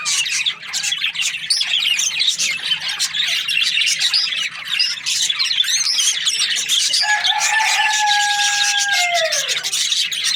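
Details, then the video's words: Budgerigars, Australian parrots, chirping in a dense, continuous chatter of overlapping squeaky notes; near the end a steady whistled tone holds for about two seconds, then slides downward. "Australian parrot Budgies chirping sounds"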